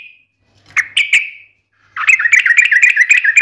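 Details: A chatty yellow-vented bulbul gives two sharp chirps, a pause, then a fast run of bubbly, rolling notes in a sharp, fighting ngalas style.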